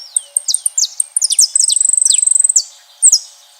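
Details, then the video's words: Several saffron finches singing outdoors in nature, high and bright: quick sharp chirps and slurred notes lead into a long, rapid, steady trill of clipped high notes lasting about a second, ending with two louder downslurred chirps. "Belos canários da terra na natureza cantando"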